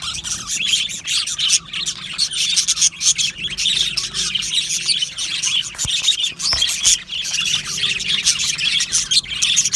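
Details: Many budgerigars in an aviary keep up high, scratchy warbling and quick chirps in surging waves, with a faint low hum beneath and occasional sharp ticks.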